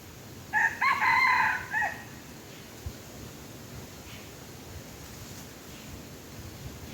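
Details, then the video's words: Wild red junglefowl, drawn in with a tame chicken as decoy, crows once: a brief, raspy, multi-part call with a dropping tail, then a long stretch of steady background hiss. "ຕໍ່ໄກ່ປ່າໝານໄກ່ບ້ານ( ต่อไก่ป่าหมานไก่บ้าน)"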